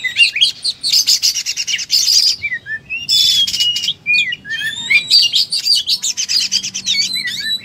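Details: Oriental magpie-robin singing in full fighting mode, pouring out its repertoire: a dense, fast stream of high whistles, buzzy rattling trills and sliding notes, with brief pauses near two and four seconds.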